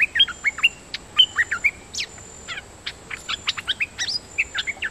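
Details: Decoy song of a dok taeng bird, a rapid varied run of whistled upslurs and downslurs with clipped chirps and a few buzzy trills, about two notes per second, against a constant thin high-pitched hiss.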